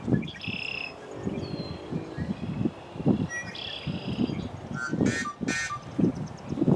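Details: Yellow-headed blackbird, its song compared to a rusty door: thin held whistled tones, then two loud grating, screechy bursts close together, all over heavy low rumbling background noise.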